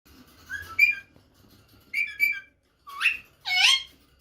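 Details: Rose-ringed parakeet, a female call said to excite the male and send him searching for her; four loud, harsh, rising squawks with harmonics in two pairs, about a second apart, over a quiet background.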